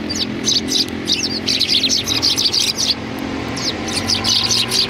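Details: Greeting chatter of sparrows before a cultural hall, 7 February 2020: dense, busy run of bright chirps, briefly pausing midway before resuming, over a low engine-like drone.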